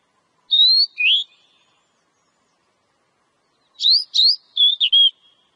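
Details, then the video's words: Oriental magpie-robin song for prompting a kacer to sing: two bright whistled notes, one falling and one rising, then a faster run of five varied, twisting whistles after a silent pause. "Suara Burung Kacer ' Agar Kacer Rajin Berkicau'"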